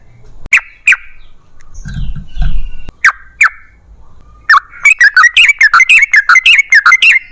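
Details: Yellow-vented bulbul singing a long rapid song, used as a lure to get other bulbuls to sing. A few separate sharp notes give way to a fast string of bubbly, slurred notes. A brief low rumbling noise comes in between.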